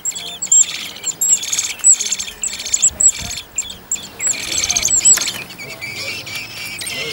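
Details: Eurasian blackbird family in a garden on Whit Monday, a second brood of four young close to first flight attempts; thin, very high piping notes repeated about twice a second over busy bursts of chirping, with faint voices low beneath.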